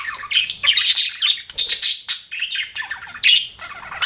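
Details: Pet budgerigar chatter: varied warbled chirps, rising and falling whistles, and short squawky notes in quick succession.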